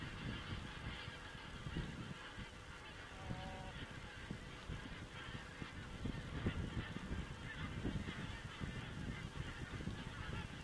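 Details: Estonian crane webcam, 27 September 2017: a steady chorus of many geese calling together, a dense overlapping babble with low background rumble throughout.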